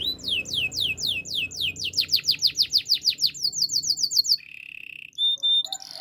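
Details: Spanish Timbrado canary singing a long series of sliding, descending whistled notes that speed up into a rapid rolling phrase, then a flat sustained tone and a few sharp chirps over a low background hum.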